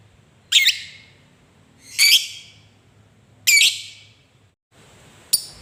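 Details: Lovebird uttering harsh, squawking high calls spaced about one and a half seconds apart, each a brief noisy burst, ending with a thin sharp chip; part of a recording meant to prompt other lovebirds to sing.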